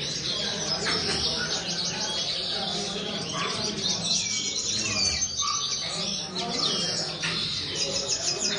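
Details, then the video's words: Common linnet song: dense, fast twittering of high chirps and short rising and falling whistles, continuous throughout, over a steady murmur of lower background sound. "corona pardillos"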